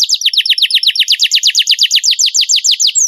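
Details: Canary song from a training compilation for contest birds: a fast, steady trill of sharply falling whistled notes, about eight per second, which runs through the whole recording with no other sounds.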